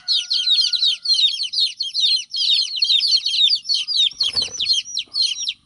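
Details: Young chicken chicks crying with the mother hen away; a continuous flurry of piercing, falling cheeps in pulsing groups, with one brief dull knock partway through.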